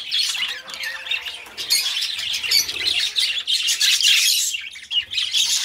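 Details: Pet budgerigars, two companion birds kept indoors, chattering in a continuous dense warble of squawks and chirps high in pitch, rising and falling in loudness with little pause.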